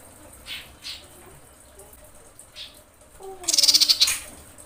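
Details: Lure sound of a female common iora in breeding condition calling males: a few soft scratchy notes, low sliding tones, then a loud rapid rattle of about eight harsh pulses near the end.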